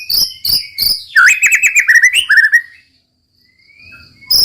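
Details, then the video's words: White-rumped shama song in roll tembak style: three spaced buzzy high notes lead into a quick descending run of whistled chatter, then quiet with a faint thin whistle. "muraibatu roll tembak ajib bikin lawan naik emosi dan ikutan gacor MURAIBATU GACOR | SHAMA BIRD"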